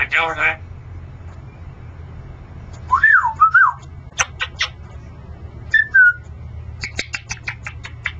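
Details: A male Congo African grey parrot talking: a short voice-like phrase, then looping rising-and-falling whistles and quick sharp clicks, over a low steady hum.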